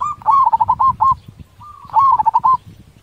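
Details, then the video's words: Zebra dove, a local bird with a loud voice, giving two rolling cooing phrases, each opening with a drawn note and breaking into rapid stuttered bubbling notes, with low background rumble. "Full Suara besar perkutut Cepat respon!! Nyaut..."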